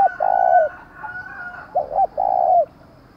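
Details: Spotted dove kept as a decoy, calling loudly to provoke wild rivals. A long coo closes, and then comes a phrase of two short notes and a drawn-out coo over a faint steady higher whistle.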